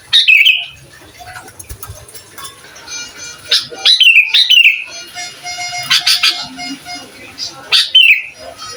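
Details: Lively sooty-headed bulbul song that provokes rival bulbuls, made for tutoring young birds: repeated bright, bubbly whistled phrases with downward slurs, broken by sharp clicks and a faint steady hum.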